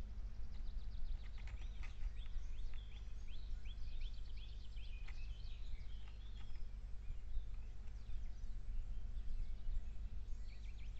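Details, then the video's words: Eurasian nuthatch nestlings being fed. Thin, high chirps come in dense, rapid bursts through the first half, then thin out to scattered notes. A strong low rumbling background runs throughout. "Kowalik, karmienie piskląt. Nuthatch feeding nestlings."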